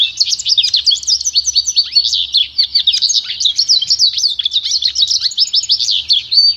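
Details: Goldfinch × canary hybrid (pintagol) in continuous pure song used for training: fast, high, tumbling chirps and twittered trills, unbroken throughout with steady energy.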